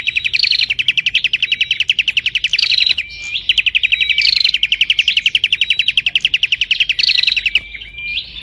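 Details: Continuous prinia song, rapid and tightly spaced: a high ticking trill running almost without rest, punctuated by sharp rising whistles roughly every two seconds and short breaks around the third and seventh seconds.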